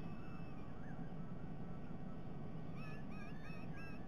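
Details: White-bellied sea eagles at the nest, Sydney Olympic Park, Australia, 22 October 2021, juveniles SE27 and SE28 at a shared breakfast: a quick run of wavering, squealing notes rising and falling, over steady low wind or background rumble.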